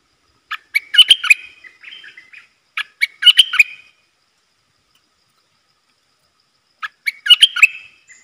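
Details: A wild bulbul, likely tending chicks in a nest and staying clear of the cage, sings three bubbly, chattering phrases of crisp clipped notes, two close together and the last after a few seconds of silence.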